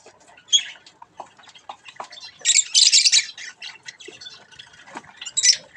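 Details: Budgerigar chicks playing with a mirror: scattered short chirps, then a dense burst of harsh, scratchy squawks around the middle and another loud squawk near the end.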